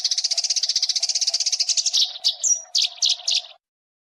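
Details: Eurasian tree sparrows' fighting call for training competition birds: a fast, even chattering rattle that breaks into several louder, separate harsh chirps before stopping, with a low hum behind.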